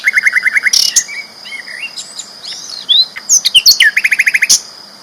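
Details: Flycatcher singing strongly and without pause, a champion bird's tutor recording: quick descending chirp series, varied whistled slurs and rising notes, ending in another fast chirp run over a constant high hum.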